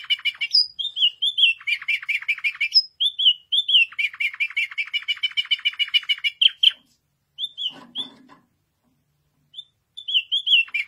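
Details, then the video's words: White pet canary singing: rapid trills of high, sweet, tinkling notes, rolling runs and clear whistled phrases, briefly pausing, with a short low rattling buzz in the middle. "تغريد رائع لكناري أبيض"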